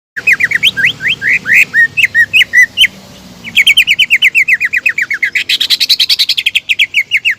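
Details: Greater green leafbird in full lure song, meant to provoke rival birds into singing: rapid runs of short, sharply rising whistled notes, a brief pause near three seconds, then denser buzzy, chattering strings of repeated notes.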